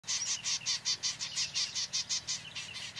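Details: A dry, rattling chatter of harsh high notes, about five or six per second, as a female cowbird lays her egg in an occupied Bell's Vireo nest while the male vireo attacks her.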